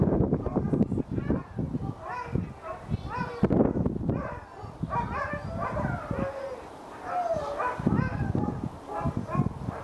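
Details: Captive White-backed vulture at Eagle Heights, Kent, recorded August 2019, giving a long series of whining, chevron-shaped squeals and cackles, some sliding downward, mixed with heavy low thumps and rustling throughout.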